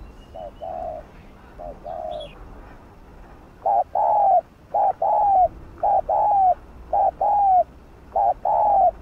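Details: Gù-style cooing of a spotted dove, used to excite caged birds: short low hollow two-part coos repeated about once a second, getting louder toward the end. Faint bird chirps are heard early on.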